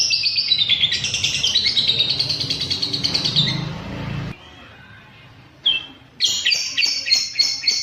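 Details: Lovebird sound for setting caged birds toward longer ngekek: a quick shrill chattering run, a short silence with one thin squeak, then sharp high buzzy chirps repeating fast.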